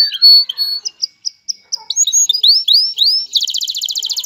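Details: Male canary singing to stimulate a female to mate and nest: clear short whistled notes, then rising slurred sweeps quickening into a dense rapid trill.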